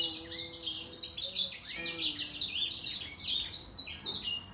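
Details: Grey singer finch in a singing fight against a green singer: rapid, high, varied twittering phrases of sliding notes, with steady low tones of background music beneath.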